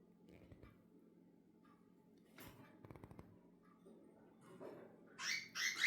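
A cockatiel gives two loud, harsh, rasping calls after a stretch of quiet room noise and tapping.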